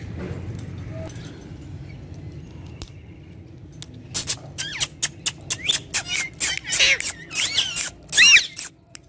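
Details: Green talking parrots kept as pets: quiet room hum, then a rapid run of harsh, clipped, rasping vocal bursts, about one every half second, building to a loud shrill squawk near the end.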